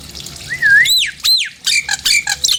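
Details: Nias hill myna provoking calls: a wavering whistle, two loud whistles arching up and then plunging down, followed by harsh chattering notes.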